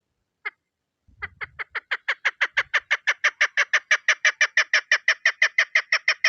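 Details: Female chukar partridge used as a hunting lure: one isolated note, a short pause, then a long, steady run of sharp, clipped chuk notes at about five per second that grows louder, with a brief low thump early on.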